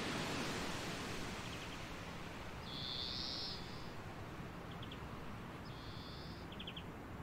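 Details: European greenfinch perched on hawthorn in a coastal dune area gives two drawn-out, nasal buzzy wheezes about three seconds apart, with a few short ticking notes, over steady roaring wind or surf.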